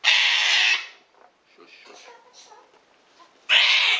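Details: Rescued Sulphur-crested Cockatoo handled during a vet examination gives a harsh, raspy scream, then quiet murmured sounds and low voices, and a second abrupt screech at the end.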